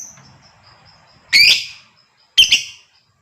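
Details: ['Female fighter lovebird calling to coax a male into long chattering song. Two loud, harsh, rasping shrieks a second apart, each rich and buzzy, with a faint thin whistle drawn out in the background.']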